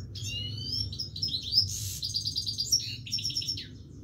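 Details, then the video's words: Steady singing from a Himalayan goldfinch, mixing long thin whistled slurs with fast, sparkling chattering notes and buzzy trills, nearly unbroken for four seconds. "himaleyan goldfinch singing continuesly"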